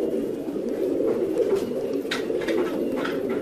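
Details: Several fancy pigeons coo continuously in deep, overlapping tones, while a handful of sharper clicks and scrapes sound near the end.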